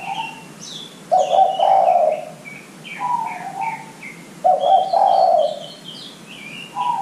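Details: Spotted dove cooing, used as a lure recording to get young doves calling sooner: low, hoarse two-part coos around a second long, repeated every few seconds, with thin high chirps from small birds in the background.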